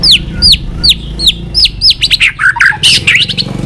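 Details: White-rumped shama in continuous clicking song: high notes that sweep sharply downward repeat about every 0.4 seconds, then break into a jumbled rush of varied whistles and clicks over a low background hum.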